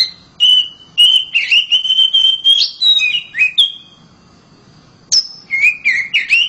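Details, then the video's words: House-kept oriental magpie-robin in loud song, rich whistled phrases with slurred up-and-down notes and quick chirps, a short silent gap, then more warbling whistles. "KACER RUMAHAN KICAUNYA NYARING"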